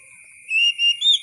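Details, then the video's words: Oriental magpie-robin with three brief whistled notes, level then rising at the end, over a steady faint high-pitched tone. "KICAU BURUNG KACER SUARA ASLI KAYAK DI ALAM LIAR"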